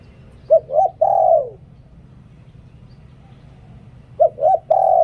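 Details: Spotted dove decoy song in the 'liu tan' style, used for luring wild doves; two phrases of low coos, each two short rising notes then a longer drawn-out falling coo, separated by a pause, over a faint low hum.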